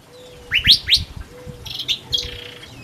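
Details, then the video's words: Male Pyrrhuloxia in the desert near Tucson calling his mate gives three quick, bright upslurred whistles, then a softer burst of sharp chips over a faint low steady hum. "How many calls does Pyrrhuloxia Male need to call his Mate?/Berapa cara Piruloksia pangil pasangan?"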